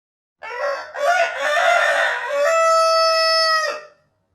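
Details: Rooster crowing: a single loud cock-a-doodle-doo lasting over three seconds, starting with a short rough note, then a brief break, a harsh middle part, and a long steady held tone at the end. Quiet background.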